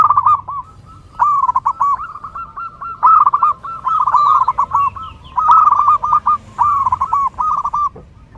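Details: Zebra dove (perkutut) song for training and luring birds: bouts of fast looping coo notes in phrases of four to six, repeated with brief gaps.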